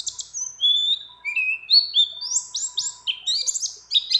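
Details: Female mountain white-eye in breeding condition calling a male, its song rich in phrases of many other birds: clear whistled slides, some rising and some falling, climbing from mid to very high pitch, then quick high twittered notes.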